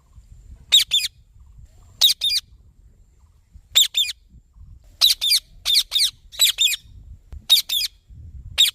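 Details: Green ringneck parrot giving loud, grating paired screeches that quicken into a run of rapid harsh calls toward the end.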